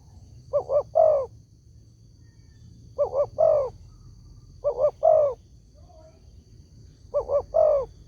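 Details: Spotted dove giving a lure call meant to make other doves answer: a three-note coo, two short low notes then a longer falling croo, repeated four times about every two seconds over a faint low hum.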